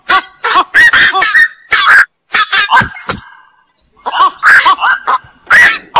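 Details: Black-crowned night heron producing raspy, squawking croaks in clustered bursts, broken by a quiet gap of about a second midway before the calling resumes.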